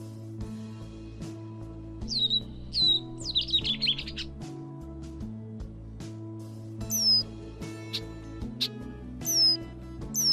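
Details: Catbird imitating a host of other species: sharp downslurred whistles, then a rapid stuttering run of notes, later high thin descending whistles spaced out, with music playing underneath.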